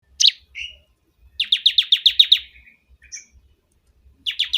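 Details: Bar-winged prinia giving a loud song: a sharp high note, a lower buzzy whistle, then a fast run of about eight rapid, descending, scratchy chips, a short pause and further chip series; faint low thumps in the background.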